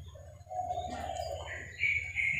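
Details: Female sooty-headed bulbul calling the male: a low, level whistled tone gives way to higher, brighter whistles that step upward toward the end, over a steady low hum.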